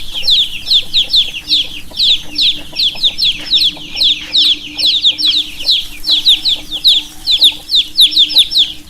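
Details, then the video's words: Baby chicks chirping in a dense, continuous chorus of high, short descending peeps, several birds overlapping with many notes each second, plus a faint steady low hum underneath. "Baby Chicks - Chirping Sounds - chicks sound"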